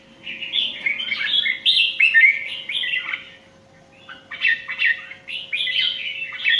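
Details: Indian red-whiskered bulbul in a singing contest, pouring out a fast string of liquid, warbled whistles, then a pause and another rolling series of bright phrases, with a low constant hum beneath.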